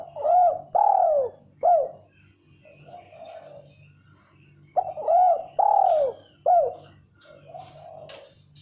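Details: Female spotted dove learning the 'kuk 1' style of call; two phrases of loud, rounded coos, each a quick rising-falling note, a long swelling coo, a short coo, then a softer trailing coo, separated by a pause of about two seconds.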